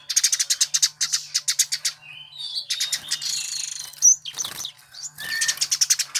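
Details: Eurasian tree sparrow, much sought by Indonesian bird-song enthusiasts, opens with a crisp run of evenly spaced high chirps, then a jumble of buzzy twitters and a squeak, then more rapid chirping. A faint hum persists throughout.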